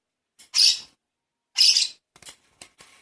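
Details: Hand-fed baby lovebird giving two loud raspy begging squawks about a second apart, followed by soft clicks and faint scratchy noises.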